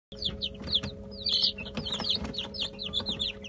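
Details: Brahma chicks eating a mash of boiled egg, bulgur and olive oil. Many chicks give rapid, overlapping high peeps that slide downward, some louder cheeping bursts among them, over a steady low electrical hum.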